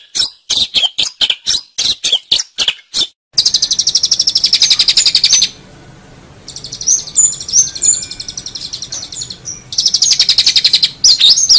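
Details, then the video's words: Long-tailed shrike singing energetically, recorded as a songbird training track: a string of sharp high chips, then long, rapid, rattling buzzy trills broken by a short pause, with a soft low hum beneath. "Suara Burung Cendet | Gacor"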